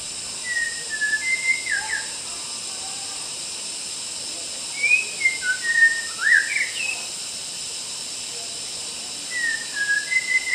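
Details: White-rumped shama singing wild in a Kalimantan forest: three bursts of whistled phrases spaced several seconds apart, mixing level notes with sharp falling and rising slurs, over a steady high-pitched background hiss.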